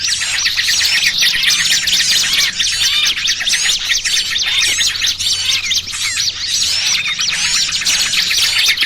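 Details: Small birds in a noisy mixed chorus used as a lure sound for trapping birds: dense, overlapping high chirps, twitters and quick whistled slurs pour on without pause, with a faint low hum underneath.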